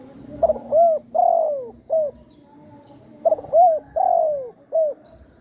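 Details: Trapping-lure spotted dove calling twice in satu kuk or dua gayau style, each phrase a stuttered opening, a rounded coo, a long descending coo and a short final coo, over low background hum.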